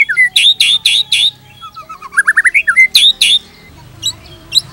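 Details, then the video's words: White-rumped shama singing a tutor song for other shamas: loud harsh chattering bursts, a rapid rising series of clear whistled notes, more harsh notes, then quiet high chips. "PANCINGAN GACOR !! MATERI mewah cocok untuk masteran semua jenis murai | shama bird"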